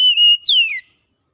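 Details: Oriental magpie-robin song phrase, used to encourage a non-singing bird: one steady pure whistle followed by a long, bright downward-sliding note, then silence.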